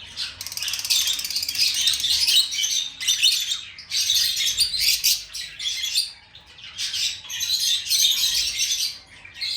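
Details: Lovebird chirping and singing in long, dense runs of shrill, scratchy high notes, broken by a few brief pauses.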